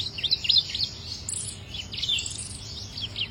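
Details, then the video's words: Chích nâu in song: quick jumbled high chirps and trilled fragments packed closely together, some notes climbing very high. "chim chích nâu hót"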